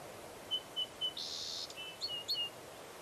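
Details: Bald eagle at Fraser Point on 04-10-2019, around eaglets tumbling from the nest and returning: three evenly spaced thin piping notes, a high chittering burst, then more short squeaky notes.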